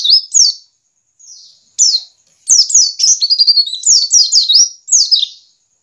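White-eye giving high, thin, descending chirps and trilled twitters in quick bursts, mostly between 4 and 8 kilohertz-pitched range, with little else heard.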